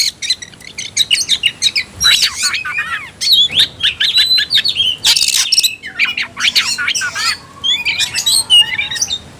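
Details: Provoked Oriental magpie-robin singing aggressively: long stream of rapid scratchy notes, harsh noisy bursts and thin whistles, with a short lull partway through.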